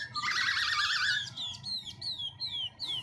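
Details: Black-throated laughingthrush song with constant voice changes: a wavering trilled warble for about a second, then a row of sharp high notes that drop in pitch, repeated roughly every half second over background noise.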